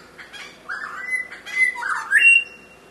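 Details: A Grey Shrike-thrush (Collurincla harmonica) calling at Kobble Creek, SE Queensland, in September 2010 gives three harsh, squawky notes in quick succession, the last ending in a brief rising whistle, against a quiet background; finding: Grey Shrike-thrush.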